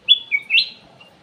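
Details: Ruby-throated bulbul, a captive aviary bird, singing a lure phrase: three loud, clear whistles in quick succession, the first high and level, the second lower, the last rising and drawn out.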